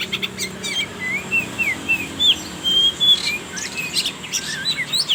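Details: Oriental magpie-robin song used as a lure to get young speckled birds singing: clear whistled phrases, some slurred up or down, others flat and sustained, given in quick succession with brief high chirps between.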